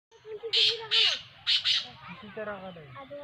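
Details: Partridge (teetar) calling: four loud, harsh, grating bursts, the last two closely paired, over a low murmur of a man's voice in the background.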